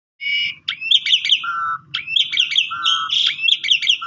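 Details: Asian pied starling song used as a lure to stimulate other starlings to sing, in a distinctive pumping style: phrases of harsh chattering notes alternating with low steady whistled notes, with a faint low hum beneath.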